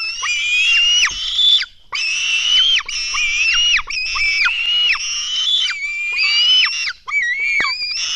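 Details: Begging nestlings of Black stork at their nest during an early-morning feeding, June 2016: continuous harsh, squealing wheezes with wavering pitch and abrupt downward breaks, nearly unbroken for eight seconds.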